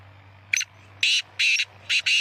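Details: Kala teetar, a black francolin of the Sheedi strain, gives a grating call phrase: a brief lead note followed by four strong, scratchy notes, the final pair run close together; faint hum underneath.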